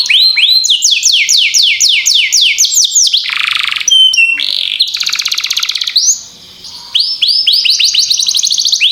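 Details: Canary song used as a training lure for other canaries: rapid series of high downward-slurred notes, about four per second, broken by buzzy rattles and a brief clear whistle, then resuming fast repeated sweeps.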